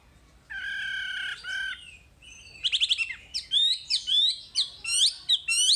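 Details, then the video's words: Masteran full-material wambi song opening with a harsh, buzzy, nasal phrase, then turning into fast ticking notes and a series of bright, bouncing slurred whistles. "Masteran Wambi paling istimewa full materi"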